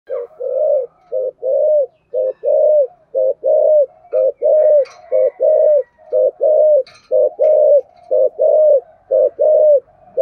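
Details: Spotted dove decoy bird cooing in the rapid 'thúc gù' style with a 'giọng thổ' voice to call others: low, hollow, rounded coos in fast runs, about one per second with short gaps, faint higher chirps in the background.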